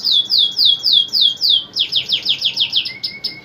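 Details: Male canary in full song, others replying; a series of loud falling whistles about four per second, then a faster rolling trill and a soft low rattle at the end.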